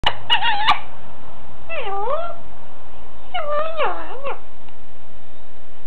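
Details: Pet female Alexandrine parakeet talking on the phone, which she loves to do. Wavering, warbling voice-like phrases with bending pitch, an opening burst, then two looping sweeps; narrow, muffled phone-line quality with a few clicks.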